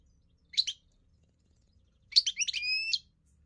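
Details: European goldfinch singing, likely a trained bird: a short twittering burst, a pause, then a rapid tinkling phrase ending in sustained ringing buzzy notes, all high-pitched, over a quiet background.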